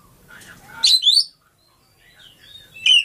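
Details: Oriental magpie-robin from Lampung singing loud clear whistled phrases, a rich rising-and-falling burst near one second, then a quiet gap and softer notes before another strong whistle at the end.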